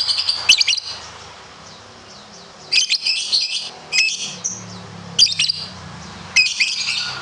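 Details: Competition lovebird sound: short bursts of high, harsh chattering chirps, each lasting under a second, separated by pauses of one to two seconds over a faint low background hum.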